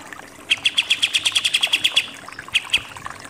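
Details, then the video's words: Pied triller (kapas tembak) in 'nembak' style: a quick string of about a dozen evenly spaced, sharp high chips, followed by two isolated notes. "KAPAS TEMBAK SUPER NEMBAK-NEMBAK"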